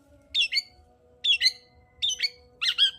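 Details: Long-tailed shrike in peak song, played to excite a shrike that will not sing. Four harsh, buzzy double notes, each a rasping two-part squawk, separated by short gaps.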